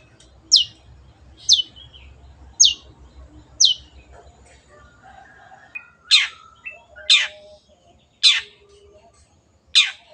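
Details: Long-tailed shrike in lively 'gacor' singing form, giving harsh, sharply falling shrieks about once a second, eight in ten seconds, with softer twittering notes between them.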